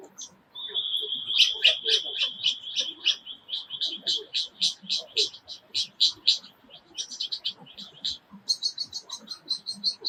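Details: Male Superb Lyrebird in the Dandenongs forest near Melbourne, mimicking forest sounds to attract a mate: loud, high mimicked phrases, a long whistle, then rapid repeated chips and ringing notes switching style every few seconds.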